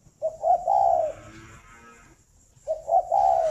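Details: Caged spotted dove at a breeding farm in Ba Vì district, Hanoi, cooing in the morning: two smooth, low phrases, each a stuttered double note leading into a long, gently falling coo.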